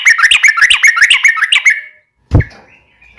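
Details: A Yellow-vented bulbul, sung for daily training of caged birds, delivers about ten quick, bubbly slurred notes, then falls silent; a loud low thump follows near the end.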